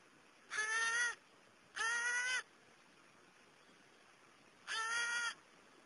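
A New Caledonian crow gives three harsh, nasal caws, each about half a second long, two close together and one after a pause, over a quiet background.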